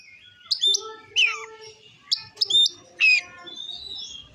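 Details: Oriental magpie-robin (kacer) song for provoking other males: four separate loud whistled phrases with sweeping notes, spaced about every half to one second, over a faint low hum.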